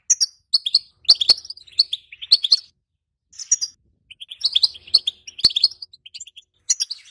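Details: Calls of a female European goldfinch, used to excite a silent male and prepare him to mate. Quick tinkling, twittering notes come in bursts, with a short silent gap midway and sharp clicks between phrases.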